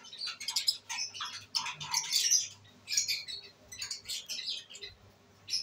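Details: Pet lovebirds, albino red-eyed, enjoying themselves on 5/09/23: dense clusters of sharp, high squeaky chirps and harsh squawks, broken by brief pauses, over a faint steady low hum.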